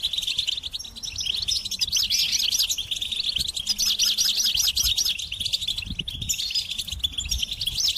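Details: Goldfinch singing a lively high song of rapid liquid twitters, with a run of quick repeated wavering notes in the middle, then brisk chirps to the end.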